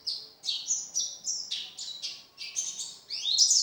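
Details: Pleci, or Oriental white-eye, kept for song contests and singing eagerly: bright, high chirps in short bursts of about half a second, each note dropping slightly, ending in a louder rising flourish.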